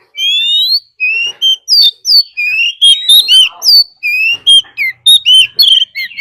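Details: Decoy Oriental magpie-robin in full fighting song, with a wild female call in the mix, meant to rouse other birds. Rapid, loud, varied whistled phrases rise and fall in quick bursts, about two every second, with no background noise.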